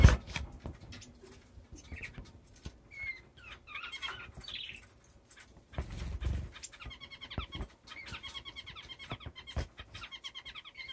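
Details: Caged male owl finch practicing his mating dance on the cage floor, perches and feeding dish; scattered soft chirps early, then a fast run of nasal, harmonic repeated notes over low rumbling, tapping and cage noises.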